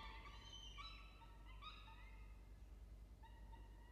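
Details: A peregrine falcon at a nest box gives drawn-out, whining calls with a thin, ringing tone, in two bursts about three seconds apart, over a steady low rumble.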